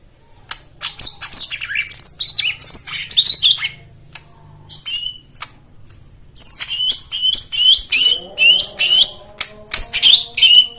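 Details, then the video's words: White-eye song meant to prompt birds that have stopped singing, with rich fill-in phrases: high twittering chirp bursts, a quiet gap near the middle, then rhythmic sharp repeated notes over a faint lower tonal hum. "Spesial Untuk Jomin dan Macet Bunyi Isian Mewah"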